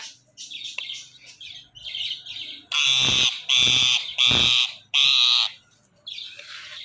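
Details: Talking parrot kept as a pet, giving soft chattering notes followed by four loud, harsh, evenly spaced squawks, then a fainter trailing call.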